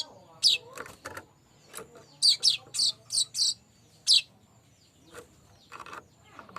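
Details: Streaked weaver lure song with scattered sharp, squeaky chirps and a quick run of five buzzy notes in the middle, then fainter chattering notes.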